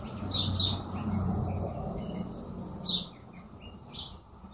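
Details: Several birds chirping, with bright high twittering notes in short bursts over a steady low rumble of background noise.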